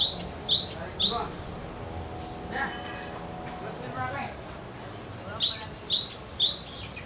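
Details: Cinereous tit singing persistently to prompt other birds to sing: two bursts of about three high two-note phrases, a clear high whistle dropping to a lower slurred note, separated by a quieter gap with faint background sounds.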